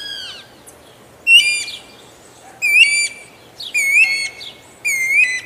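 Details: Guira cuckoo gives a series of loud, rich whistled notes, each starting with a short upward inflection then held steady, repeated roughly every 1.2 seconds, with a fainter descending note at the start.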